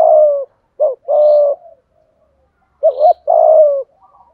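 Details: Spotted dove full song, 'giọng thổ' voice: a long falling coo, then two more phrases of a quick doubled note plus a drawn-out coo. Faint high twitters sound in the background.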